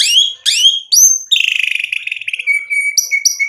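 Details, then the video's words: White-rumped shama singing loudly as a lure for other shamas; two sweeping whistles, a rising note, a fast buzzy trill, then a level whistled trill ending with short high pips. "MURAI BATU GACOR bikin EMOSI jadi NYAUT BUNYI AMPUH buat PANCINGAN biar BONGKAR ISIAN"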